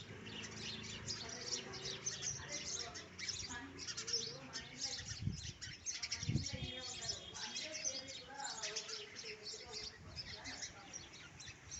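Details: Little sparrows heard in a natural setting, a dense, continuous stream of short, sharp, high chirps overlapping throughout, with low human voices and a few thuds mixed in around the middle.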